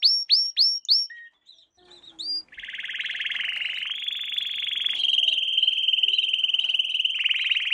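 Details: Canary song lesson for young birds: four loud rising whistled upsweeps, a few soft notes, then a long continuous rolling trill that steps up in pitch and ends in a faster rattle.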